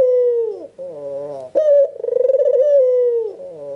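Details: White, red-eyed albino Barbary dove in full calling form, meant to get other doves calling. One long resonant coo falls at its end, a brief nasal upturned note follows, then a throbbing trilled coo resumes.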